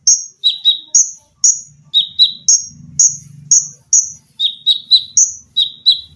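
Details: Singing olive-backed sunbird in a training recording for cage birds, delivering dense 'tembakan' shots: shrill high notes alternating with slightly lower doubled chirps at a brisk, steady pace over a faint low hum.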